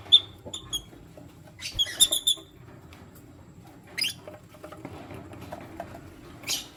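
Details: Lutino lovebirds, one male with two females, give short sharp high chirps in quick clusters near the start and again around two seconds, with soft clicking and shuffling between calls.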